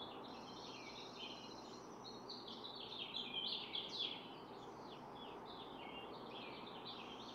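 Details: At a nest of four eggs being incubated, with the parents swapping turns through the day, a barn swallow gives rapid scratchy twittering notes, loudest in the middle, over steady low background noise.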